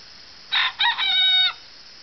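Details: Golden Polish rooster crowing: two short harsh syllables followed by a drawn-out, level, raspy final note, the whole crow lasting about one second against quiet background hiss.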